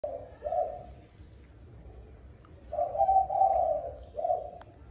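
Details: Spotted dove cooing in the evening at feeding time: low, soft hooting coos, a pair of notes, a pause of about two seconds, then a longer drawn coo and a short final one over a faint low hum.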